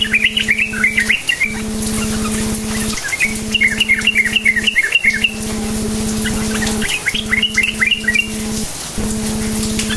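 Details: Sooty-headed bulbul singing in the lively cukcuk nguplik style, used as a lure to get silent bulbuls singing: short bubbly chattering phrases of quick rising and falling notes in bursts, over a steady low electrical hum that cuts out briefly.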